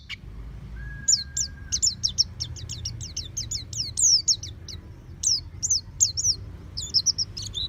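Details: Oriental white-eye kept at home, singing in the open-beaked ngeplong style: a fast string of high, thin, sharply slurred whistled notes, many dropping in pitch. A steady low hum and a brief faint tone sound near the start.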